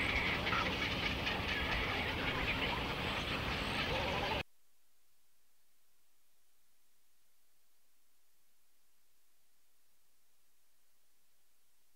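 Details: Loud rumbling, rattling noise like a passing train for about four seconds, then near silence with no animal calls.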